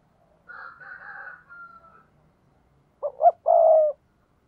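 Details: Spotted dove cooing to lure wild doves, a "thúc bổi" call. A quieter, higher-pitched warbling phrase opens, then a loud coo follows: two short notes and a long low hoot.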